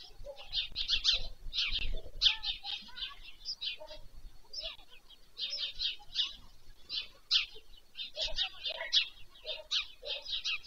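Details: Evening feeding at a white stork nest beside Pyriatynskyi National Nature Park, Poltava region, Ukraine, 21 July 2024, from a nest-cam broadcast. Chicks give rasping, hissy bursts in dense clusters with short pauses, plus faint low thumps.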